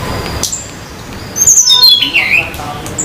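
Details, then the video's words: In the wild on a Banyuwangi mountain in Indonesia, a Sunda laughingthrush delivers one phrase of high whistles stepping steadily downward in pitch, ending in a lower slurred note, against faint noise. "Tledekan Gunung/sulingan Gunung Banyuwangi gacor di alam liar"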